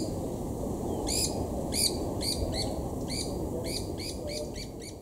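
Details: White-eared Barbets mob and chase a Black-collared Barbet at Imvubu Lodge, KwaZulu-Natal, South Africa, July 2019; loud harsh notes start, then a quickening string of scratchy calls, about three per second, over low rumble.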